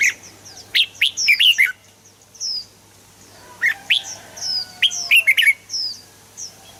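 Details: Red-whiskered bulbul, a recording to get kept birds singing; clusters of rapid bright whistles and trills come roughly every two seconds, with softer high twitters between and a low hum behind.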